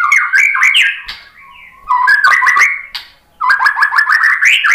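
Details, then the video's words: White-rumped shama drawn in by a lure recording, singing rich, varied whistled phrases with rapid warbling trills and sharp clicks, broken by a short quiet gap before a fast rising burst. "MURAI BATU jadi kepancing NYAUT ikut GACOR"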